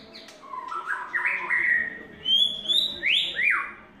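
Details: White-rumped shama in its third molt singing a varied phrase: mellow, wavering mid-pitched notes, then higher clear whistles and a sharp downward-sliding note, over a steady low background hum.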